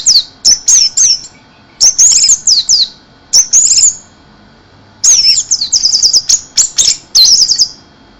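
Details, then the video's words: Orange-headed thrush in excited 'mabuk teler keserr' song: repeated bursts of very high, squeaky twittering phrases separated by short gaps. "anis merah dewa mabuk teler keserr"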